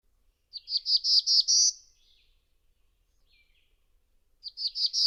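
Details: Black-throated blue warbler, a rising, buzzy song: five hoarse, buzzy notes stepping upward to a higher final note, then a pause and the same phrase starting again.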